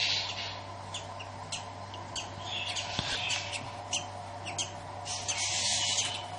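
A newly hatching budgerigar chick gives thin, high peeping chirps over a steady mechanical hum.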